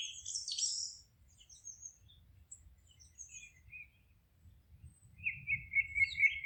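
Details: Birdsong in a forest: a burst of high, scratchy twittering opens, then sparse faint chirps, ending with a steady run of rapid, evenly repeated notes.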